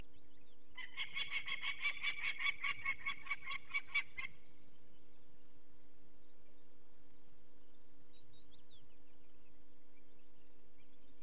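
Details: Peregrine falcon in the Barycz Valley on 2 May 2023, alarmed by people taking a chick from its nest. A burst of fairly distant, rapid harsh cackling lasts a few seconds, followed by quiet background hum.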